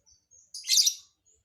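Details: Lovebird with an unusual song fill: one loud, dense, harsh screech about half a second long, preceded by thin, high, faint squeaks.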